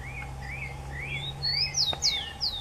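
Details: Rufous-collared sparrow song: high whistles and two bright downward-sweeping slurs near the end, preceded by another bird's lower rising-and-falling chirps, a steady hum underneath and a brief click.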